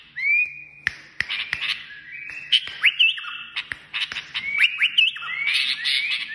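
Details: Kashmiri songbird song made of long, steady whistles and upward-sliding notes with short trills, broken by frequent loud clicks.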